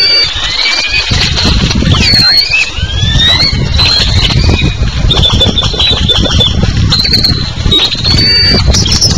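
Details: Great-tailed grackles in a raucous morning chorus at the municipal garbage dump just south of Pisté, Yucatán, Mexico: sharp whistled squeals sweeping up and down, over constant heavy low rumbling noise.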